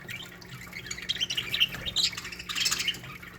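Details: Budgerigar colony in an aviary singing: dense, continuous high chirps and squeaky warbled notes overlapping throughout, with brighter peaks of chatter near the middle and end and a faint steady hum underneath.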